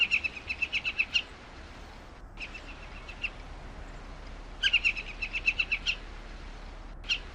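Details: Hen Harrier calling in two fast chattering bursts of roughly eight to ten sharp, ringing notes each, one at the start and one midway, with softer scattered notes between them against steady outdoor hiss.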